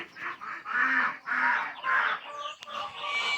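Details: Domestic ducks on a farm during morning chores, seemingly eager to be let out, quacking in loud, harsh, nasal bursts, about two per second, overlapping in a steady chorus.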